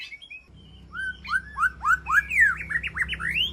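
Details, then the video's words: Calling to its flock inside an aviary, a white-rumped shama gives a quickening series of slurred whistles, first falling, then rising ever higher toward the end, over a low hum. "Sound of White-rumped Shama Call to Flock"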